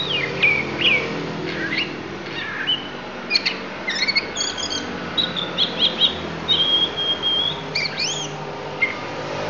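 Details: Isian sung by a Lampung oriental magpie-robin: quick varied chirps and short slurred whistles, then a sustained level whistle and a sharp upward sweep, with low steady hum beneath.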